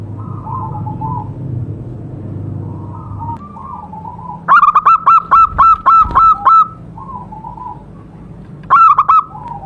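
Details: Wild local zebra dove singing by a DIY trap: a long run of about nine quick, hard-edged coos, then a shorter burst, over a background of fainter cooing birds.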